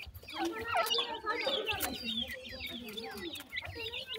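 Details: Feeding partridge chicks produce dense, irregular chirping: thin high whistles, quick downward slurs and lower warbling notes overlapping continuously from several birds.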